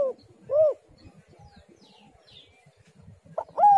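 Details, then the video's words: Spotted dove call meant to draw other doves into calling: an arched mellow coo, a quiet stretch with faint distant chirps, then a short note and another smooth coo. "tekukur super gacor suara indah"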